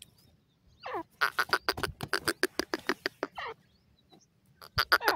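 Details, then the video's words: Francolins, locally called teetar, including the black francolin: harsh, rapid, clicking notes repeated about three times a second in bursts, with a rising scratchy note before and after the main run. "Dakhni Silver Jore and Bhuda Teeter sound"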